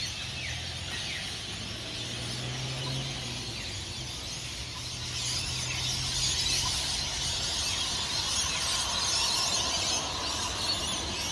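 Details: Screeching of hundreds of rainbow lorikeets taking off from tall Norfolk Pines at Burleigh Heads, Gold Coast, Australia, before dawn. Softer at first with a low sustained tone, then the shrill roar grows louder halfway through.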